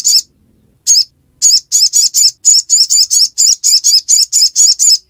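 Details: Crimson sunbird in the ngiriwek song style: very high, sharp chipping notes repeated rapidly, around two per second, in a long steady run after two opening chips.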